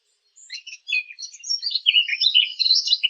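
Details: Birds chirping in a half-hour recording: rapid high twittering and warbled chirps, irregular and overlapping, growing busier toward the end.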